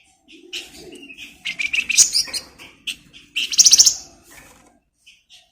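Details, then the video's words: Flamboyan bird sings as a tutor for magpie-robins, with soft whistled notes, rising chirpy phrases and a loud rapid trill, ending in sparse faint calls. "Flamboyan Gacor Bagus'Buat Masteran Burung Murai"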